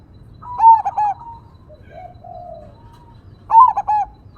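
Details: Crossing-type zebra dove with a big voice, singing in the single 'engkel' vocal style over nature background sounds: a mellow trilled coo phrase with stuttering notes, a long humming pause note, then the phrase again.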